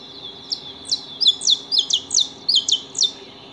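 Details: Saffron finches feeding at a house give a series of high, sharp downslurred chirps, about eight to nine notes spaced unevenly over three seconds, some overlapping, above a steady high background hum.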